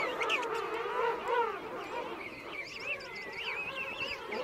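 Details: King penguin colony with adults and chicks at Right Whale Bay: low wavering adult calls early, then thinner, higher whistled, rising and falling calls weaving over a constant crowd murmur.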